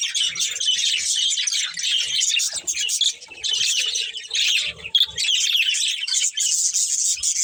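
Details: A group of budgerigars keeps up lively, overlapping chirping and squeaky chatter, pausing briefly about three and five seconds in before resuming.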